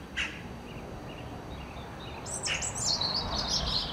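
Great spotted woodpecker: a single sharp high note, then a dense run of shrill, rasping chatter from the young. Steady background noise throughout.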